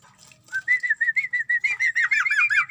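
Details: Sooty-headed bulbul bathing in its cage, bursting into a fast string of liquid whistled notes that grow louder and richer toward the end, with a faint low rumble underneath.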